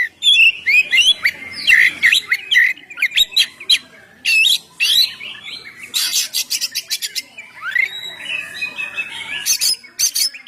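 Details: Oriental magpie-robin song meant to lure birds and prompt singing: fluid whistled phrases and slurred notes, then rapid strings of harsh scratchy bursts and chatter, the varied phrases continuing without long pauses.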